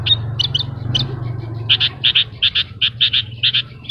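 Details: Horsfield's bush lark in vigorous gacor song with isian fill-ins: scattered high notes, then rapid paired chirps repeating about twice a second, over a constant low hum.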